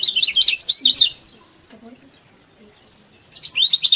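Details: Lemon-bellied white-eye master song for encouraging lazy birds to sing: a loud, fast, high-pitched warble for about a second, near silence, then a fresh burst of twittering notes.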